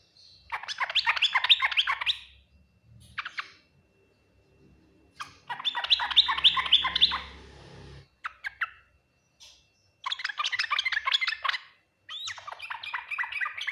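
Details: Yellow-vented bulbul song in the full Ngriwik Nguplik Tuklik-Tuklik style, said to draw the quickest response from other bulbuls. It comes as four bursts of rapid, bubbly chattering notes about two seconds each, separated by short pauses with a few isolated chirps.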